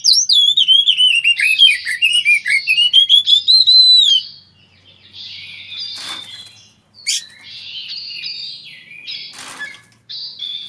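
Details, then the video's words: Mating Oriental magpie-robin, recorded for use as therapy for birds that stopped singing: four seconds of loud, looping whistled phrases and quick chirps, then fainter harsh buzzy notes with two sharp clicks. "TERAPY KACER MACET BUNYI MENGGUNAKAN VIDIO KACER KAWIN"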